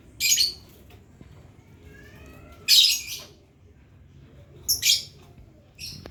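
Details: Lovebird learning ngekek, its long trill, though here it gives only four isolated harsh, shrill squawks a second or two apart over faint background noise.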